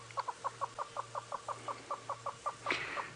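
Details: Adult Southern Yellow-billed Hornbills calling to one side on an afternoon safari drive, 16 May 2017. Short, hollow clucks repeat steadily about five times a second, and a louder, harsher burst breaks in near the end.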